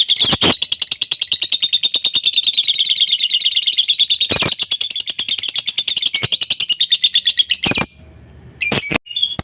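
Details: Lovebird giving a long ngekek chatter meant to provoke a rival into answering: a fast, high, buzzy pulsed trill of about three notes a second runs steadily for nearly eight seconds, then breaks into a few sharp clicks and short squeaks.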